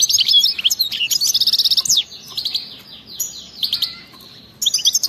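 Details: European goldfinch giving wild-type (khalawi) btebta song: rapid twitters and a quick run of repeated buzzy notes, a softer middle stretch, then a fresh burst of chirps at the end.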